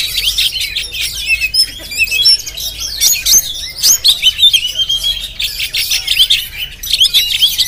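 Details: Oriental magpie-robin, Jampang variety, captured on GoPro, pouring out a continuous high, twittering song of quick chirps, slurred whistles and buzzy trills.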